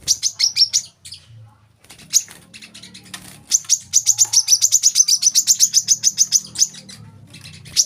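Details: Olive-backed sunbird, a tutor recording for young caged birds: brief high chips, a pause over low humming, then a long, fast trill of thin, piercing notes with a steady rhythm.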